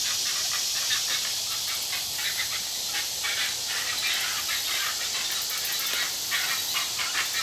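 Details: Great egret fledglings, two siblings fighting right after being fed; irregular bursts of rapid clicking calls run throughout, with a strong, even hiss behind them.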